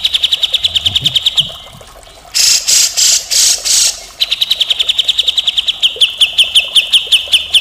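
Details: A grey-cheeked bulbul on a tutor recording of full, harsh chatter gives rapid runs of high ticking notes, two or three a second, broken by five loud, harsh rasping bursts before the ticking resumes.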